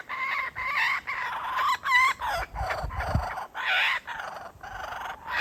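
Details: Kookaburra father with a chick, teasing it with food and possibly offering it to his partner; loud hoarse cackling in a steady run of choppy bursts, some notes sliding upward, with barely a pause throughout.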